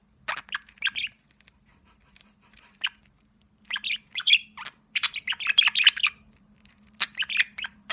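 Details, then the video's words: Young pet budgerigar, described as sociable, giving scattered bursts of short scratchy chirps and chatter separated by silent gaps, over a faint steady hum. "Общительный птенчик"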